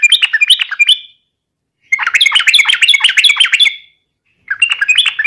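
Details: Yellow-vented bulbul in a lively fighting song meant to provoke rivals: bursts of bubbly, chattering notes, the first short and the second longer and run-on, separated by silent gaps.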